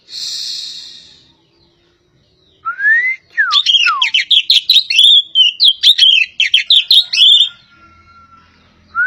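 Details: Kacer poci magpie-robin of Java: after a hissy noise and a pause, a few slurred rising and falling whistles lead into a rapid, varied chattering phrase, and a lone rising whistle closes the passage.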